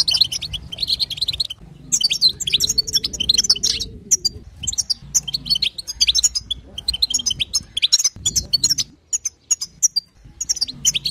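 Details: Female European goldfinch betbeta and sestesa calls, used to prompt a male goldfinch to sing. Dense, high, scratchy twittering comes in bursts separated by short pauses. A low steady hum runs underneath.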